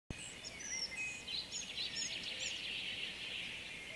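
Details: A singing male collared flycatcher gives a quick run of thin, high, squeaky whistled notes against a steady hiss of background noise.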